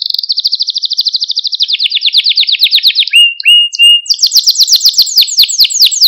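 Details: Canary training song meant to excite and teach young canaries, built of rapid rolling trills: a long high trill, a slightly lower pulsed trill, a brief low note, then fast descending sweeps.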